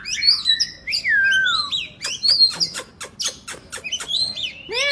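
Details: Oriental magpie-robin giving lively 'gacor' song: tumbling high whistles and a long descending slur, then a series of sharp clicking ticks about every quarter second, ending with a rich, rising-falling buzzy note.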